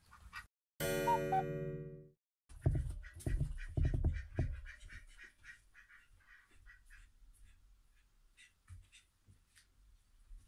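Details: A male pet Aigamo duck, newly joined to a household, gives a short burst of loud, rough, low quacks, followed by softer scattered rustling and clicking; a brief chime-like musical tone rings just before the calls.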